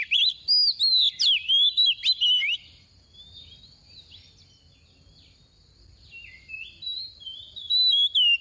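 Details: Female oriental magpie-robin kept as a decoy bird, singing a 'tìu tíu tiu' song used to stir males into singing: bright, varied whistled phrases with quick slurred up-and-down notes in a dense burst, a quiet pause, then high whistles resuming near the end.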